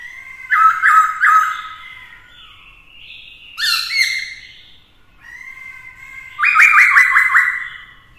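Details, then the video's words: Black-throated laughingthrush singing in many voices to provoke rivals, with a female present to excite the male; loud whistled phrases with bright harmonics, a fast quivering trill near the end, brief pauses between bursts. "Khướu mộc hót kích đấu - Khướu bạc má hót nhiều giọng hay - kèm khướu mái kích trống căng lửa"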